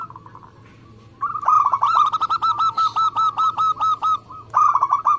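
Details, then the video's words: Local zebra dove, a lively singer kept for contests: a faint opening phrase, then a long, steady run of about fourteen evenly spaced, clipped coos, followed by a short final burst. "Perkutut lokal gacor"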